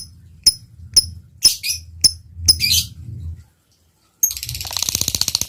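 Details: Lovebird in active singing form: sharp high ticks about every half second, some followed by short raspy chirps, then a pause and the start of a fast buzzy chatter.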